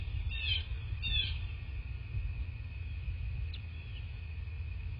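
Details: At a Bald Eagle nest in southwest Florida, filmed by a nest cam on the morning of 22 February 2024: two thin, high, stuttering chitters close together early on, a faint note later, over constant low rumbling.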